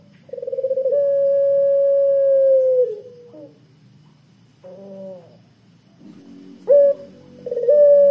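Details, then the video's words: Long, thick-voiced coo of a pelung Barbary dove used to lure other doves. A fluttering start runs into a level tone held over two seconds that sags at its end, followed by softer broken notes and a fresh coo. "puter pelung suara tebal kwook panjang 100% ampuh buat pancingan puter pelung"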